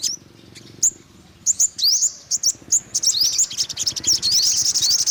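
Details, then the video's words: Sparse thin chirps from an olive-backed sunbird build into a dense, fast twittering run of high rising notes. "tiếng chim hút mật 5 màu bụng vàng"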